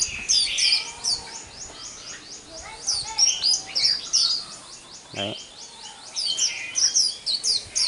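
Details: White-eye singing the 'liễu xù đầu' song style: continuous very high, fast twittering and repeated trilled notes, dense and unbroken, with a brief low knock midway and background hiss.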